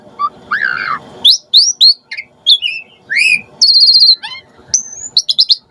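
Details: Asian pied starling sound played to draw starlings into answering: scattered whistled slurs, quick rising chips, a sustained high whistle and short clicking notes, with a low background hum.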